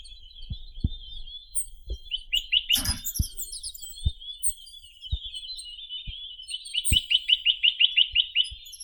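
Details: Chinese nuthatch (Sitta villosa) song: a short burst of rising notes early on, then a longer rapid series of about a dozen bright, evenly spaced notes, over continuous high twittering, with one loud crackling noise and scattered thumps.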